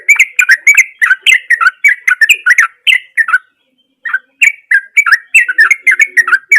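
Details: Sooty-headed bulbul in full, lively song with its natural voice, played as a lure to get a silent bird singing: rapid bubbly chirping phrases of rising and falling notes, a brief pause midway, then resuming busily.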